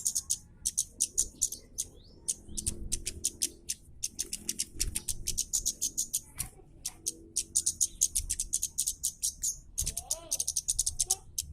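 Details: Rapid, tightly packed series of harsh, dry, ticking call notes from a Scarlet-headed flowerpecker, called kemade or cabe Jawa, delivered in dense bursts as 'kasaran' tutor audio for training cage birds; faint low background rumble.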